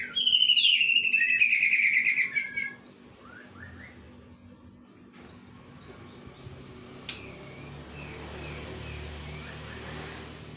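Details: Greater green leafbird singing kingfisher-style material: a loud, shrill whistle sliding downward with rapid trilled notes over the first three seconds, then only faint background hum and scattered soft chirps.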